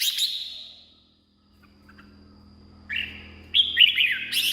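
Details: Red-whiskered bulbul, a song recording meant to excite caged birds or decoy wild ones: one fading warbled phrase, a second of quiet with a low hum, then two cheerful whistled phrases.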